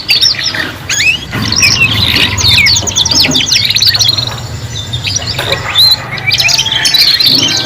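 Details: Juvenile canaries learning to sing as a group of three: bursts of rapid trilled chirps broken by brief pauses, some clear rising whistles, and a low hum.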